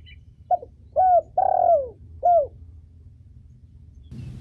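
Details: Short cooing phrase from a female spotted dove kept for training and stimulating birds: a brief note and three descending, rounded coos, then a soft rustle.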